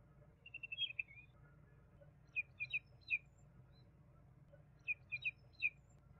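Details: Juvenile common babbler singing: a quick rattle of high notes opens, followed by two sets of three or four sharp, downward-slurred chirps separated by a short pause, over soft background hum.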